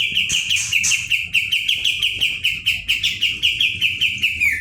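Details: ['Kapas tembak singing vigorously in a rolling, shooting style: a fast series of bright, slightly downslurred chirps repeated about twice a second, with higher whistled notes above in the first second.']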